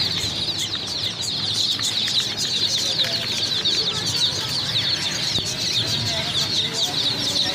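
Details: Newly bought chicks in a crowd, their shrill, rapid peeping forming an unbroken high chorus with some faint rustling.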